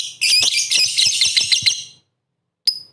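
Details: Lovebird song played to goad rival lovebirds into singing: a two-second burst of harsh, high, tumbling chatter, a pause, then a single sharp chirp.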